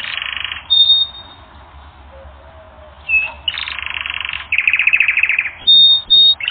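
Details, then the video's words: Canary in a song training recording: separate bursts of dense rolled trills and brief high whistles, broken by quiet gaps. "Canary Training Recording - 1 Hour"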